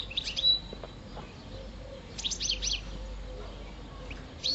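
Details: A caged five-year-old European goldfinch, subspecies parva, singing in mating season: short bursts of bright, high twittering notes, a cluster near the middle and another at the end, with soft low room noise.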